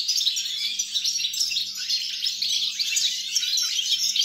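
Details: Song of a European goldfinch recorded 29 December 2022: lively, high twittering with quick trills and chirps, steady and unbroken from start to end, over a faint low hum.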